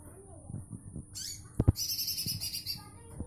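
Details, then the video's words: Olive-backed sunbird singing eagerly in dense bursts: a very high, rapid, buzzy trill lasting about a second after a few clicks. A steady high whine and low background rumble run throughout. "Sirtu Jantung Gacor nembak rapat"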